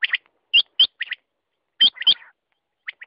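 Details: Quail calling: short, sharp chirped notes, some single and some in quick pairs or triplets, separated by brief silent gaps of roughly a quarter to three-quarters of a second, with no other sounds audible.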